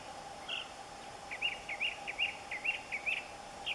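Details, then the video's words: Northern mockingbird singing from a thin bamboo cane at a home in Central Florida: a quick series of short, bright chirped notes repeated about twice a second, fairly faint over a steady background hum. "Serenaded by a mockingbird perched in bamboo"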